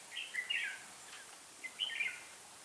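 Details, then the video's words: Red-whiskered bulbul kept as a decoy in bird trapping, uttering two quick, chattering whistled phrases of rapidly slurred notes, separated by a gap of about a second, with faint hiss behind. "Bẫy chào mào"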